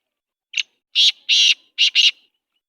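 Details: Night call of a black francolin in Sindh: a short soft opening note, then four harsh rasping notes, two longer ones followed by a quick closely spaced pair, heard against a silent background.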